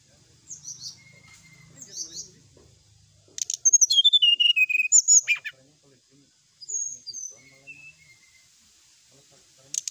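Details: Brown-chested jungle flycatcher, a lure song meant to provoke rival birds: scattered soft high chirps, then a sudden burst of sharp clicks and rapid descending whistled notes, followed by quieter thin whistles.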